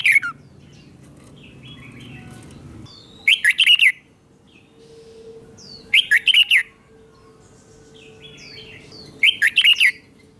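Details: Cage-kept red-whiskered bulbul singing its slow, clear double song for training young birds. Three short bursts of crisp, jumbled whistled notes arrive about every three seconds, with thin chirps and a low steady hum between.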